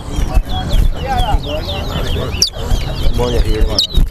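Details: Towa towa, or chestnut-bellied seed finch, sings during a competition between two birds at a Guyana bird ground. Quick, high, warbled notes come in dense runs, broken by sharp clicks. A low crowd murmur and voices run underneath.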